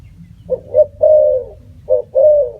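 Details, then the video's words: Spotted dove coo phrase, two quick notes and a long sustained coo, then the start of another phrase, with faint low background hum. "Bird sound spotted dove"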